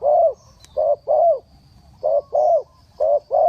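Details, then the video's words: Spotted dove cooing, used as a decoy for bird trapping: low mellow hooted notes in paired short-long groups, repeated about once a second, with faint rural background. "Chim cu gáy gù tốc độ, Cara Pikat Tekukur"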